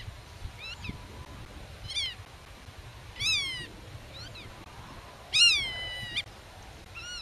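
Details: Black-tailed godwit near hidden chicks, chasing off intruders: short downward-bent nasal calls every second or so, with two louder, longer strident calls, in quiet open countryside.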